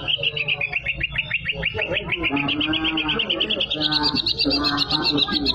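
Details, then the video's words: Greater green leafbird singing energetically, mimicking canary song: quick repeated clear whistles that dip and then rise into a fast high rolling trill, with softer warbles beneath and a low background hum. "cucak ijo gacor isiannya burung kenari"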